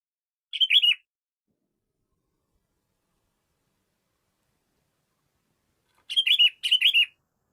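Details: Sooty-headed bulbul calling a rival: one short bubbly, warbled phrase, then a long silence and two more quick phrases close together near the end. Each phrase is liquid and chirpy with slurred notes. No other sounds.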